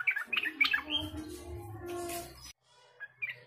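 Quick bubbly, whistled Yellow-vented Bulbul notes, mid-high and chattering, soon drowned by a broad rushing noise; one faint note follows after a pause.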